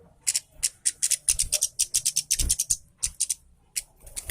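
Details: Orange-headed thrush singing energetically to coax silent birds of its kind into song; dense run of piercing high chirps and thin whistled notes, then sparser notes after a brief pause.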